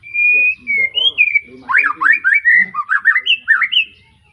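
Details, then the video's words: Young white-rumped shama just out of juvenile plumage, from an Arko bloodline in Pemalang, Indonesia, singing a lively varied song: a long clear whistle, then rapid rising and falling whistled phrases in quick succession, with faint lower notes beneath. "Kicau Murai batu lepas trotol,suaranya heboh"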